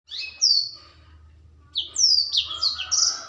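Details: Young black-throated canary, just beginning to sing loudly, gives a short high twittering phrase, a pause of over a second, then a denser burst of sharp descending whistled notes and trills. A low hum sits underneath.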